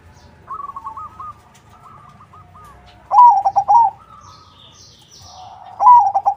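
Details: Crossbred ('crossing') zebra dove in full song, used as a lure so other doves answer: two loud, mellow coo phrases, each a rising note broken into fast rolling pulses, over softer distant coos from other doves.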